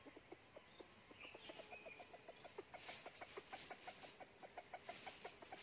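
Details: Rapid low clucking from red junglefowl near a second decoy trap used outside the season to catch wild birds. Short pulses repeat several times a second, with a brief faint crow-like note early and constant insect buzz.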